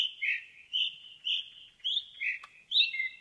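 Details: Indigo bunting singing in a forest: a quick series of high whistled notes, often paired, each phrase sliding slightly, delivered in a steady run of about six notes over three seconds with brief gaps between them.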